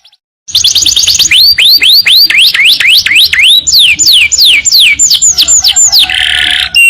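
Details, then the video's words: Canary training song featuring long bursts: after a brief silence, a rapid high trill gives way to a run of steep downward-slurred whistled notes repeated about four per second, ending in a buzzy rattle. "masteran kenari super tenbakan panjang"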